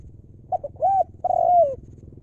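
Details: Single 'lio'-style phrase from a wild-stock spotted dove decoy: two quick soft notes, a short arched coo, then a longer mellow coo sliding downward, against a faint low hum.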